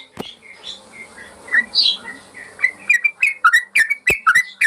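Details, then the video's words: Yellow-vented bulbul song used as a master recording to train caged birds: scattered whistled notes, then a quick run of bubbly, rising and falling notes with sharp clicks. "Masteran burung trucukan"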